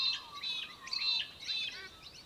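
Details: Australian hobby, also called little falcon, recorded in Victoria, Australia, in December 2023: loud, harsh, harmonic notes given in quick bursts of about a third of a second, a short series rising and falling over two seconds.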